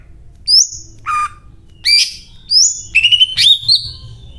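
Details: Singing greater green leafbird pouring out a learned cililin repertoire: sharp rising whistles, a buzzy descending chirp, a loud burst and a trilled, wavering phrase, separated by short pauses with low background hum.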